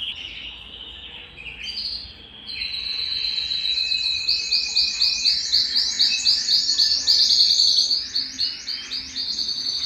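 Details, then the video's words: Belgian canary song for stimulating males and conditioning females for breeding: a soft, lower opening, then a loud, fast, even trill of repeated high notes, about four per second, sustained for several seconds. "Canto Para Esquentar Canário Belga e Foguear as Fêmeas"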